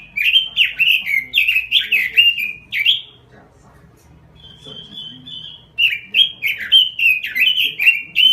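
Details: Lively gacor robin song: three seconds of fast, rolling, warbled notes, a quiet pause with a thin sustained whistle, then another vigorous burst of chattering, slurred phrases.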